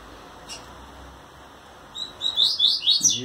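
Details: A caged male double-collared seedeater, infatuated with a female and trembling his wings at her, sings a quick burst of bright, high, sweeping notes over low room hum, with a brief low voice at the end.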